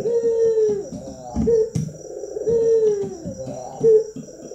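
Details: Captive, trained local Barbary dove cooing. Low drawn-out coos alternate with short emphatic notes over a busier background of low rumbling and clatter, with a faint steady high hum throughout.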